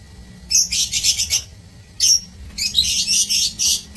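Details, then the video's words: Lovebirds in an aviary cage chattering in shrill, rapid high-pitched bursts, a squeaky run, a pause, a single sharp note, then another dense stretch of harsh chatter. "Aviary Lovebirds [16 Maret 2024]"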